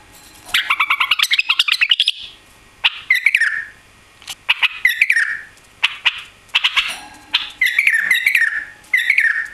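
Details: Newly arrived white-eared bulbul kept caged without a tail, delivering a rapid run of chattering notes followed by repeated warbled phrases with downslurred whistles.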